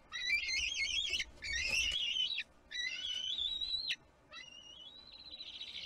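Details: Kisatchie National Forest bald eagle nest, 6 April 2022: an eaglet's tantrum when the adult keeps the fish for itself, heard as loud wavering shrill whistles in quick bursts and ending in one long even whistle.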